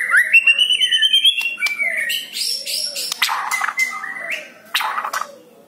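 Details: White-rumped shama song from a captive bird, used to stimulate another shama to sing: rising sweet whistles followed by scratchy, buzzy notes and sharp chips, the phrase fading toward the end.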